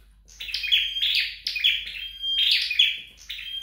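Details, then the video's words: Flowerpecker kept at home, sounded during training: bursts of high, thin chirps joined by a steady whistled tone, three phrases at intervals of about one second in a quiet indoor setting. "Dợt Sâu Đầu Đỏ Tại Nhà"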